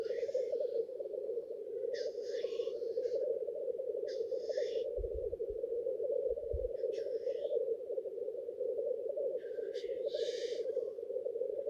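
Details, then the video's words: Black grouse lek in which males display to impress females: continuous low bubbling with sharp hissing bursts roughly every two seconds and a couple of deep thumps near the middle. "Black grouse lekking behaviour"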